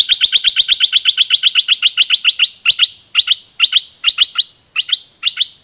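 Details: A bird's song used to train other birds gives a fast run of sharp, high chirps, about five a second, then slows to paired chirps spaced about half a second apart.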